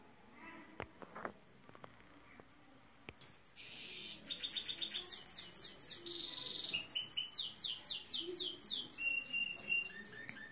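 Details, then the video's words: Saira canary: a few faint clicks and knocks open the recording, then high rapid trills begin and carry on in shifting repeated phrases to the end. "سایرہ کناری مست از استاد ضامن/Saira canary singing"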